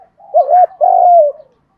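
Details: Spotted dove cooing, a decoy-training voice used to provoke caged decoy birds into answering; a low, hoarse two-part coo, a short rising note then a longer steady drawn-out phrase.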